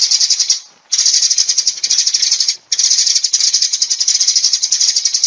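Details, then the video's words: Sparrows calling the flock: a dense, high, continuous chatter of rapid overlapping chirps, briefly breaking off twice, near the one-second mark and again around two and a half seconds, then resuming just as busily. "Tiếng Chim Sẻ Gọi Bầy"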